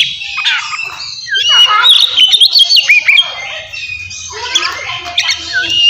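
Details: Oriental magpie-robin fighting song, ngeplong style, aimed at rousing emotion and mating mood in untrained kacer: rapid mix of harsh squawky notes and bright whistled slurs, with a faint low hum beneath.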